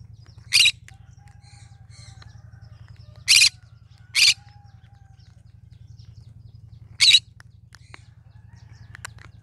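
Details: Cinnamon-coloured green-cheeked conure giving four brief, grating screeches at uneven intervals, two of them close together mid-way, over a constant low droning hum.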